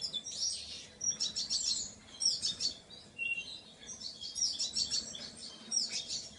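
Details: Painted bunting delivering a run of high, quick, jumbled warbling phrases, each lasting about a second with brief gaps, plus one lower short note; soft hiss behind.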